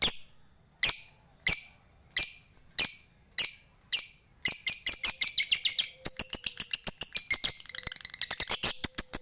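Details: Bali lovebird giving ngetik ticks and then a long ngekek chatter, as a prompt for other lovebirds. Half a dozen spaced, shrill ticks give way to a rapid, rattling stream of high chattering notes.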